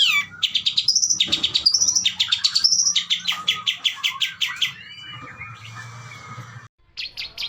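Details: Long-tailed shrike delivering rich 'isian' material: a rapid, even rattle of high clipped notes broken by rising whistled slurs, then a softer, lower warbling passage before the chattering resumes.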